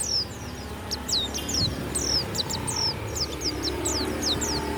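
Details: Caged warbling white-eye (pleci) kept as a songbird, singing loud, clear phrases: high, thin downslurred whistles repeated rapidly in quick bursts over steady low background hum.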